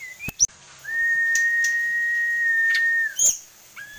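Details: Tame kept sulingan gunung, a songbird with many song variations, gives a long steady pure whistle held for about two seconds, framed by short higher notes and sharp clicking sounds.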